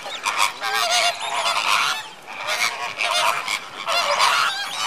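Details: Greater flamingos at Slimbridge in January 2016, a flock active before settling for the night: loud, harsh, nasal honks from many birds, swelling in waves roughly every second and overlapping throughout.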